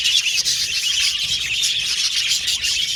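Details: Pet budgerigars singing together in a loud high twittering flock chatter, dense overlapping whistles without a break.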